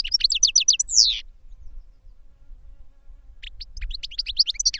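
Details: Caged European goldfinch in training delivers a quick series of sharp high chirps ending in a downward buzzy note, then after a pause resumes twittering, with low background hum.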